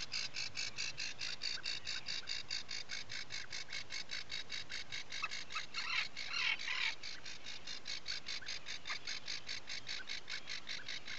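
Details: Early-morning recording from an Atlantic puffin nesting burrow, Seal Island National Wildlife Refuge, Maine, 12 July 2018: steady train of short high pulsed notes, roughly two to three per second, with a louder rougher burst midway.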